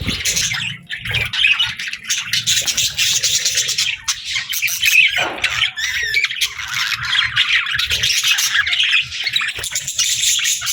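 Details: Budgies feeding together produce a crowded mix of harsh squawks, quick chirps and buzzy warbling that never pauses for long.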